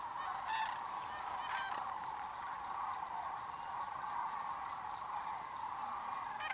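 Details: Thousands of migrating sandhill cranes stopping on the Pacific flyway to feed and dance in farm fields in Oregon and Washington; a steady, dense chorus of overlapping rolling, trumpeting calls from a large flock, with no pauses.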